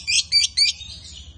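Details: Lovebirds, a male and a female, giving three loud harsh chirps in quick succession, then a softer trailing chatter, steady low hum beneath.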